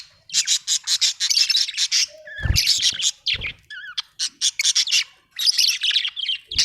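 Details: Budgie chirping in a fast, dense chatter of buzzy, scratchy notes, broken by a few wavering whistled phrases and two short low thumps near the middle.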